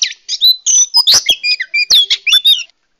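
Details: Female Oriental magpie-robin calling males as a wild-bird lure: a rapid, busy string of scratchy chirps, short whistles and harsh buzzy notes lasting under three seconds, then a sudden stop.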